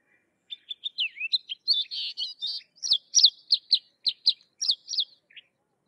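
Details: Sykes's lark sings a long, continuous phrase of nearly five seconds. Soft warbled notes open it, then a series of sharp, evenly spaced high chirps about four per second follows. No other sounds.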